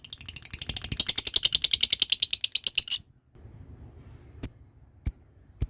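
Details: A lovebird's ngekek, used to encourage other birds to trill: three seconds of fast, piercing chatter, then silence followed by three separate sharp chirps.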